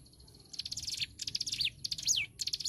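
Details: Hill prinia singing vigorously, recorded as a tutor track for songbirds: a series of rapid buzzy high chips, each phrase ending in a quick downward-sweeping whistle. Phrases come in close succession over a low background hum.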